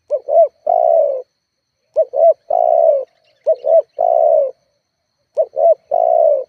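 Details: Spotted dove calling as a lure meant to make other doves respond: two or three quick short coos then a long sustained coo, the phrase repeated four times with short gaps.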